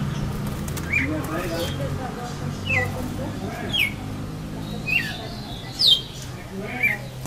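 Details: Red-cowled cardinal singing face to face with a rival, a bout it lost: short slurred whistled notes falling from high to mid pitch, roughly one per second, over a steady low rumble of background noise.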